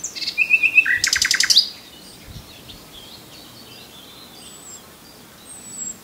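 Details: Common nightingale song phrase: a short high whistle, then a quick machine-gun rattle of repeated notes lasting under a second, followed by quiet with faint distant bird calls.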